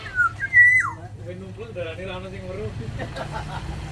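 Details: A captive Black-naped oriole from Sumbawa, kept in an aviary, gives a brief, loud, fluty whistle that falls, levels and drops again, followed by low human speech.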